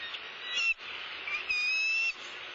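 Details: Bald eagle at a Southwest Florida nest on a live camera, giving a couple of thin, high, drawn-out whistled notes over a noisy hiss.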